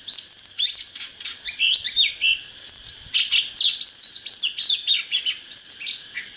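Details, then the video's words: Oriental magpie-robin in vigorous song to rouse birds for fighting: dense, rapid sequence of whistled phrases, scratchy chirps and sliding notes, almost without pause, over a faint continuous high tone. "Chích chòe than HÓT HAY"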